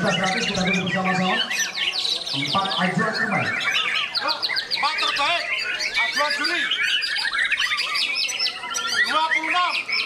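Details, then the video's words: Ngecun-style singing from a bowing White-rumped shama in Magetan: fast chains of clear whistles, chirps and rolling trills packed tightly together, with a human voice audible briefly at the start. "Aksi Sujud Ngecun Murai Batu"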